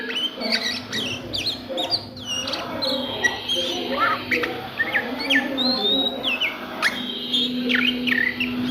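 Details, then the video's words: At midday an Oriental magpie-robin sings a long varied sequence of sharp whistles, upswept and downslurred notes and chatter, with a sustained low tone in the background. "SUARA KACER NGRIWIK DISIANG HARI"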